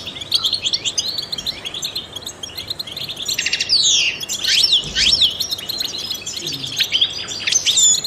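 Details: European goldfinch, a trained singer kept to stimulate songbirds, delivers quick high twitters that build midway into steep downward-sweeping whistles and dense chatter, over constant low hiss.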